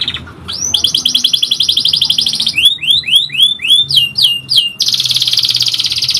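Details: A continuously singing canary delivers a fast metallic trill, then six or seven separate upward-sweeping whistled notes, then a bright, dense, rolling trill at high pitch. A faint low hum sits underneath.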